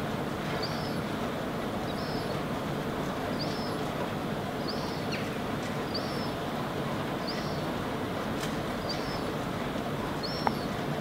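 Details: A Herring Gull fledgling standing on rock in Helsinki, Finland, in August 2016 gives thin, high, slightly falling peeps, about one every one and a half seconds, over a steady roar of wind or distant traffic.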